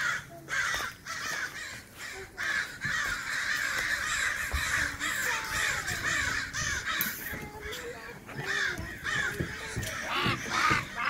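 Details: Several crows in a backyard take on a single crow, calling rapidly with rough, repeated caws about twice a second, sometimes overlapping, with a little human speech in the background.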